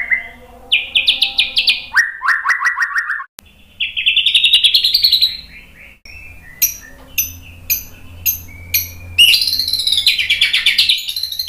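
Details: White-rumped shama provoking song meant to stir rival birds to reply: varied phrases of fast trilled notes at shifting pitches, sharp isolated chips, then a dense high warbling run.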